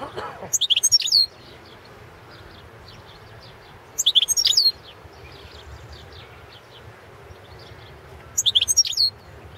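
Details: Balkan goldfinch, carduelis balcanica, singing for an online goldfinch song world championship held under Serbian association rules: three short, sparkling bursts of fast tinkling, slurred notes about four seconds apart, with steady low background noise between.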